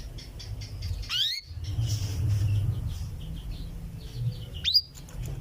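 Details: Female canary calling to the male with its cuwit-cuwit call: two loud upward-sweeping whistled notes about three and a half seconds apart, over faint background chirping and a low steady hum.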